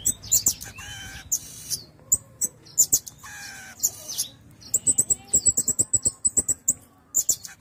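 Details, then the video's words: A pin-tailed parrotfinch (Erythrura prasina) sings very high, thin, buzzy notes and quick dry ticks in short bursts separated by brief pauses, over a faint low hum. "Pin-tailed Parrot Finch Singing | Suara Burung Bondol Hijau Binglis"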